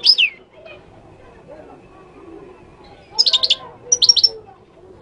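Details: Moroccan European goldfinch gives a sharp high twitter at the start, then after a quiet gap two quick bursts of bright, tinkling, high-pitched notes. Faint murmuring noise runs in the background.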